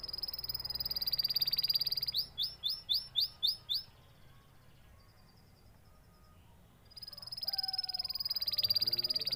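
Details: Canary singing in bursts of rapid, high repeated chirps and trills, a quick run of evenly spaced sharp notes, then a pause of near silence before a fast buzzy trill resumes.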